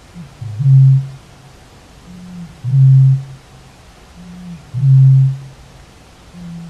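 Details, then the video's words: Eurasian bittern booming: three deep, foghorn-like 'up-RUMP' booms, each a soft intake followed by a hollow low hoot, spaced about two seconds apart. "Roerdomp geluid, booming bittern"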